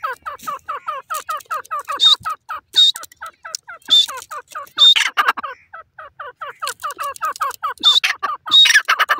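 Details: Grey francolin in a cage giving loud, rapid runs of short falling notes, several each second, broken by brief high whistles and sharp clicking or rattling bursts.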